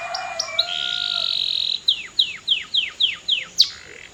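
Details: Singing canary opens with a long, steady, high buzzy trill, then delivers about eight loud, sharply descending whistled notes spaced evenly, each slurring downward.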